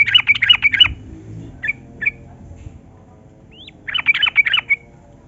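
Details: Yellow-vented bulbul singing in the energetic 'gacor ropel' style meant to prompt lazy birds into song: a quick bubbly phrase of warbled notes, a few isolated chirps and a rising whistle, then another rapid bubbly phrase.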